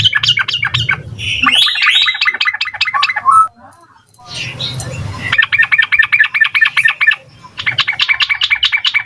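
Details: Yellow-vented bulbul in lively rapid-fire song, used as a lure so young birds answer: fast bursts of repeated bright chattering notes, a squeakier varied phrase midway, short pause, then steady trills resume, with low rumbling background noise.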